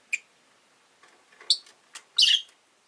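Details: Rosy-faced lovebirds, green-bodied with orange faces, five in a window-side cage, utter a sharp chirp, scattered soft ticks and notes, then a loud grating chirp burst near the end.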